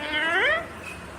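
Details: Single short speech-like utterance from a green Indian ringneck parakeet, one smooth rising and falling harmonic phrase lasting under a second, indoors and quiet.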